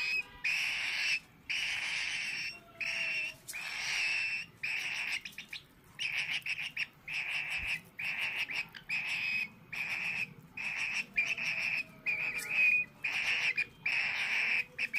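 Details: A hungry female cockatiel chick, being hand-fed because its parents are not feeding it, gives harsh, rasping begging calls in rapid bursts, each lasting about a second.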